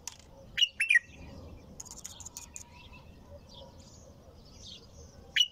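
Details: Bulbul singing nonstop: two short, bright warbled phrases early on and another at the end, set against faint high twittering and a low background hum.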